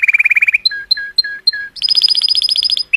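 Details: Color canary singing joyously to stimulate females: a quick burst of rapid notes, a row of five paired high-low chirps, then a bright fast high trill.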